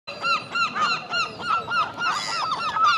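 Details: Herring gull (Larus argentatus) pair with their young give loud, nasal, arched yelping calls, about three a second, several birds calling over one another, while driving off a young gull that is not theirs.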